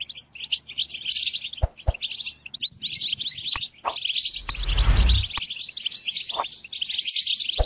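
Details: Goldfinch song used to teach captive goldfinches during moult: quick tinkling twitters in short bursts, broken by sharp clicks and a loud broadband rushing noise for about half a second midway.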